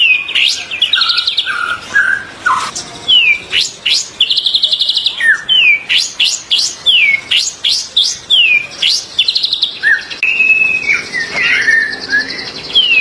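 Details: White-rumped shama song for training captive birds, 2024. A long, varied phrase of short descending whistles, sharp chips and buzzy trills delivered in quick succession, with brief pauses between bursts.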